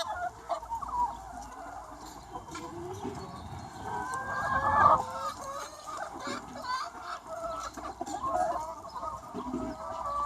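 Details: Free-range chicken flock of about 200 birds in spring sunshine, an even babble of clucks and wavering calls, swelling briefly into louder squawks midway.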